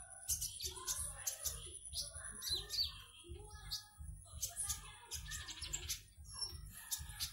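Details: Caged konin from Singkawang, West Kalimantan, entered in an online singing contest, gives rapid high thin chirps and twittering phrases in quick bursts, over a steady low rhythmic thumping and a faint constant high whine.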